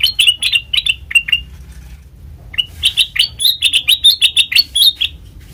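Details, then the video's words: Black-crested bulbul singing, recorded as a trapping lure: a handful of quick whistled chirps, a brief gap, then a fast, dense chatter of bright rising notes, with low background hum. "Suara Asli Kutilang Emas Pancingan Pikat Masteran"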